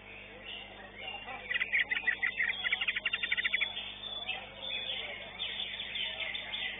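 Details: A greater green leafbird at a songbird contest, placed third, sings a fast, jumbled run of high chirps and rattling notes with a softer chattering tail, over a steady background murmur.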